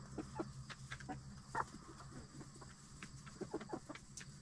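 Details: Hens in a backyard coop settling in the final minutes before roosting at night. Faint, scattered murmuring clucks come at irregular intervals over a constant low hum, with light scratching noises between them.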